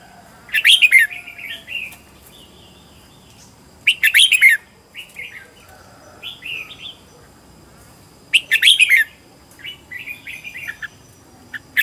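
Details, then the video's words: Home-trained decoy red-whiskered bulbul from Vietnam delivering loud, clustered whistled phrases at intervals, each followed by softer sliding, rolling notes, a style meant to provoke singing and draw wild birds. "Chào mào mồi gọi bổi"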